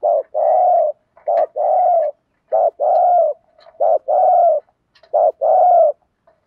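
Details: Spotted dove kept as a decoy to lure others, giving its thúc gù coo. Low, throaty two-part phrases repeat about every 1.3 seconds: a short clipped note, then a longer, steady, mellow coo, five times.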